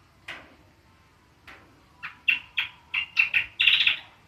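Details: Ngriwik song of the cucak kombo, or greater green leafbird: a few scattered soft notes build into quick, rattling chirps ending in a dense, buzzy trill.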